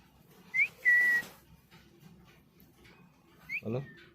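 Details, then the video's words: Pet talking parrot producing a brief rising whistle, then a longer flat whistle, and a second pair of whistled notes near the end, with a dull thump and low household murmur beneath. "amezing talking parrot call"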